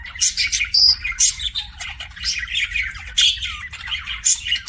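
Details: Kissing sounds from a pet budgie: short bursts of scratchy, buzzy chirps and smacking clicks, with brief pauses between busy runs and a soft low hum in the background.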